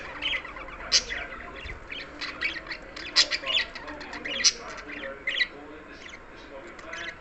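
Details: A happy pet budgerigar (Melopsittacus undulatus) chatters in quick, scratchy chirps and squawks with sharp high clicks.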